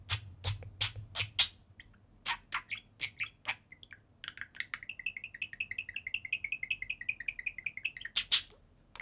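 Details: Pair of pet budgerigars playing on top of their cage indoors: sharp bright chirps, then a long run of quick warbling, ticking notes in steady succession, ending with a loud squawk.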